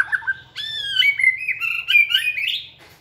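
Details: White-rumped shama singing with energy while training in a flight cage: short opening notes, then a continuous run of clear, bending whistles that climb gradually in pitch over about two seconds.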